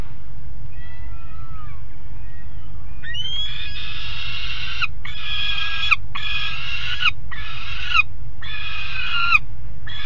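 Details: Juvenile peregrine falcons, two of them on the nest grating in Alphen aan de Rijn, midday 17 June 2016. Faint thin notes give way to long, loud, rasping wails, repeated roughly once a second with short gaps, over steady low rumble.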